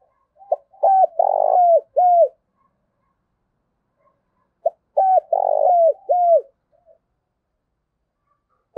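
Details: Captive decoy spotted dove cooing in the morning to attract wild doves: two matching phrases of mellow, hollow coos about four seconds apart, each with a short lead note and a drawn-out middle coo, with silence between.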